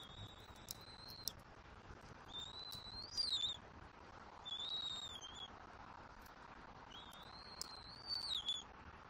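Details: Bald eagle eaglet on a Southwest Florida nest, 5 February 2024, as a parent feeds it fish: four drawn-out high whistles, rising then wavering and falling, spaced a few seconds apart, with a few sharp clicks.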